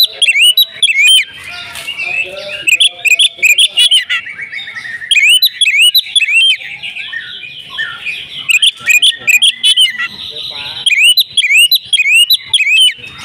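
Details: Oriental magpie-robin pouring out an agitated fighting song: long sequences of rapid whistled slurs, high squeaky notes and chattering bursts, near continuous with short gaps.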